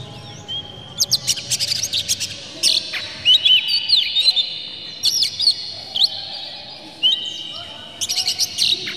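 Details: Oriental magpie-robin lure song with clear, harsh material meant to rouse rival birds into tail-spreading song; bursts of high whistles and quick upslurred notes with sharp clicks, separated by short pauses, some phrases held as drawn-out whistles.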